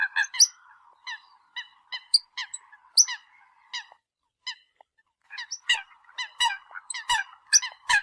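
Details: Series of sharp, bright honks and squeaky notes from a Eurasian coot calling the flock, in uneven bursts with a brief lull midway.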